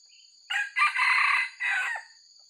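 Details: Crow of a white-legged red junglefowl, a recording used by trappers as a lure: a short opening burst, a long rough middle note and a falling final phrase, over steady high insect whine.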